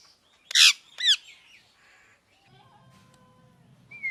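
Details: Two loud, grating squawks from a pet parrot, the second slurring downward, followed by fainter trailing notes, a low steady hum and a thin whistled tone at the close.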